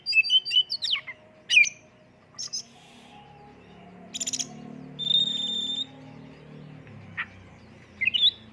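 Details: Oriental magpie-robin song used as a lure, with full mimicked fill-ins and sharp 'shooting' phrases: scattered high chirps, short whistles and buzzy bursts separated by pauses, over a faint low hum.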